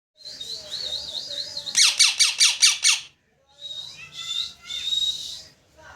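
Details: Parrot chirping very loudly: a wavering warbled whistle, then five harsh rasping bursts in quick succession, a short pause, and more whistled and scratchy chirps.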